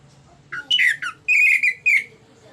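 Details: Orange-headed thrush in ngeplong-style song for luring others to sing: lower, slurred whistled notes that dip downward, then a longer sustained whistle and a final falling whistle.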